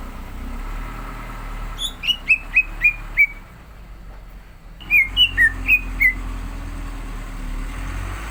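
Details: Orange-spotted bulbul (cucak ijo) in full song before a singing contest: two bursts of clear whistled notes, each a short run of five or six descending slurred whistles, separated by a pause, over faint background hum.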